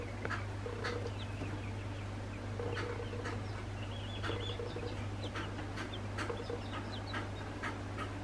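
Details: Two-week-old northern bobwhite quail chicks give a scatter of short, high peeps and soft chips over a steady low mechanical hum.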